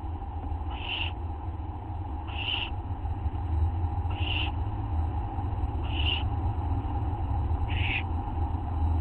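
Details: Late-night owl calls at 11:04 PM on August 24, 2011, from a group growing bolder: five evenly spaced, breathy hissing screeches about every 1.7 seconds against a loud low-pitched hum.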